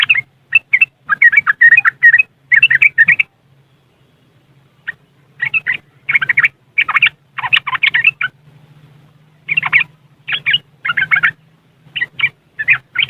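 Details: Yellow-vented bulbul giving riwikan-style chattering in West Java, Indonesia, phone-recorded as a lure for caged bulbuls that are untrained or reluctant to sing: repeated choppy bursts of scratchy, bubbling notes with a long pause midway, over a steady low hum.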